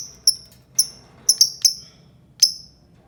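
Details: Albino lovebird making sharp, high, squeaky chirps that drop steeply in pitch, given singly or in quick pairs at irregular intervals over a few seconds; quiet room hum underneath.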